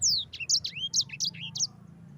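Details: Fast, tight phrase from a yellow-fronted canary's rolling ngerol song, a master recording for other birds: a long downslurred whistle opens a string of short, bright high notes and sweeping slurs.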